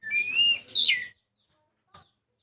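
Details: Oriental magpie-robin song used to coax a reluctant bird into singing: one long whistled phrase rising then sliding down, followed by silence and a faint click.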